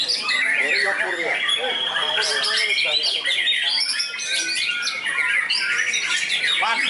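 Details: White-rumped shama trained for contests, tested on the field, giving a sustained, varied song of fill-ins: fast whistles, buzzy trills and sharp chips tumbling one after another without pause.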